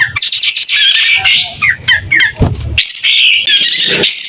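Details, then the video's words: Clear, energetic song from a tail-spreading pied triller: rapid stuttering high notes, scratchy chatter, then a loud buzzy phrase with thin whistles after a short gap. "Kapas tembak gacor buka ekor.. SUARA JERNIH"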